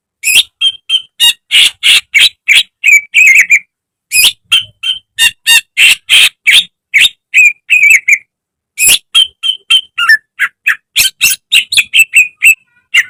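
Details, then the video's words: Greater green leafbird, a caged bird, in a training recording meant to make other birds sing. Rapid series of loud, sharp chirps and short whistles, about three per second, with brief pauses, mostly high-pitched, no other sounds. "Masteran cucak ijo agar cepat rajin bunyi~gacor setiap hari"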